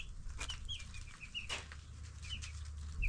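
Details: Baby broiler chickens, ten days old, give sparse high cheeps amid fluttering wing sounds, scratching and a low background hum.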